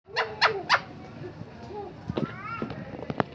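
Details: Talking parrot giving a few loud, harsh harmonic squawks with rising sweeps early on, then softer wavering tonal phrases and short bursts over a low background rumble.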